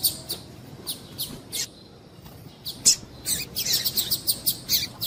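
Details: Calling female double-collared seedeater, used to excite males for singing tournaments: high chirps at first spaced about half a second apart, then a denser burst of rapid sharp notes near the end.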